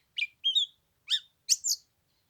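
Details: Oriental magpie-robin song on a cold 15-degree Tet morning, used to lure another bird down to fight: four short separated phrases of sharp chirps and a bright slurred whistle, with quiet gaps between.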